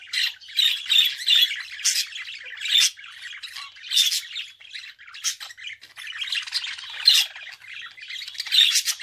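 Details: A budgerigar gives a long, busy warble: rapid raspy chirrups mixed with sharp clicks and higher squeaks, rising and falling in loudness without pause.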